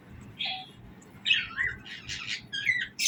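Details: Budgerigars chirping in the morning, giving short warbled chirps around two to four kilohertz, separated by quiet gaps, with a louder burst of chatter at the end.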